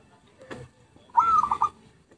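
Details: Single zebra dove coo phrase from a lure recording: a short, bubbling series of soft pulsed notes lasting about half a second, preceded by a faint click and low background murmur.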